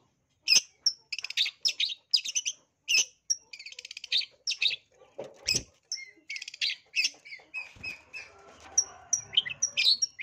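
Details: A long-tailed shrike in aggressive, fighting song, used as a lure for rivals, gives a rapid, scratchy medley of high chirps, trills and squeaky phrases with barely a pause; a few brief lower sounds near the end.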